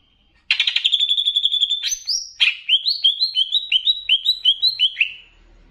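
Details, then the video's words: Greater green leafbird, Banyuwangi type, on a master recording to raise leafbirds' excitement, with bebeci mixed in: a fast buzzy trill, then a high clear whistle, then a run of about a dozen rising, slurred whistled notes at an even pace. "VARIASI LAGUNYA NGERI || MASTERAN CUCAK IJO UNTUK MENAIKAN EMOSI ! + BEBECI"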